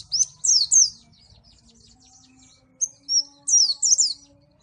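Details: Two bursts of loud, high, slurred chirping from a Malang white-eye, each a tight cluster of three or four notes, with a quiet gap between and a faint tonal hum.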